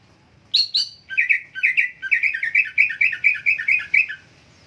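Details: Lively greater green leafbird song: two high sharp notes open, then a fast, steady string of about fifteen chirpy, slightly wavering phrases at a middle pitch, delivered in rhythmic succession.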